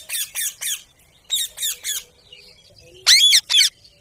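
A ring-necked parakeet gives harsh, rasping squawks in quick groups of three, then two louder, shriller screeches to finish.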